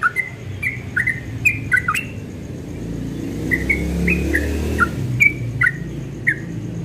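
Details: Dawn song of a yellow-vented bulbul: scattered clear whistled notes, some rising, some dropping, given in quick pairs, partly masked by a passing vehicle's rumble in the middle.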